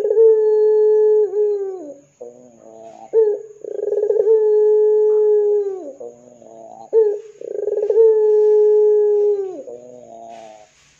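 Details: A ringneck dove, or 'puter', cooing repeatedly to prompt other doves to call. Three long, level, deep coos each run about two seconds, and each is introduced by a stuttering rolled phrase, repeating roughly every four seconds.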